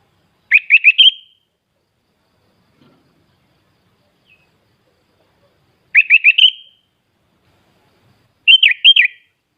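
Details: Sooty-headed bulbul singing in full fill-in style, a hobbyist's bird from Klaten, Central Java, Indonesia: three crisp phrases of four fast, rising, bubbly whistles spaced a few seconds apart, the final phrase a wavering looped variant, with a quiet background.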